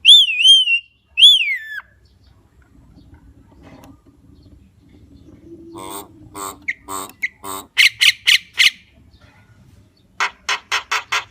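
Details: Javan myna song opening with two loud, clear, falling whistles, followed by harsh, rasping bursts and a quick run of scratchy notes.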